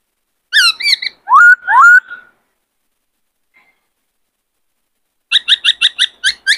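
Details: Caged male white-cheeked laughingthrush, in peak singing condition and singing with many voices, used to stir wild-caught birds; bursts of bright, varied whistled and squeaky notes, a pause, then a rapid run of about eight clipped repeated notes.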